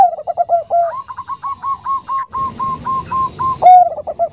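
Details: Bangkok-type zebra dove, a female calling the male, with the soft nutut voice. Quick rolling coos form a long even series, broken by one loud clear note before the rhythm resumes.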